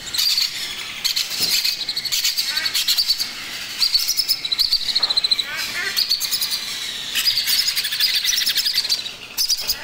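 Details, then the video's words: Baby macaw at hand-feeding time, giving harsh, raspy begging calls in rapid pulsing bursts, each run lasting a second or two with short pauses between. "Macaw Baby Parrot Feeding Time"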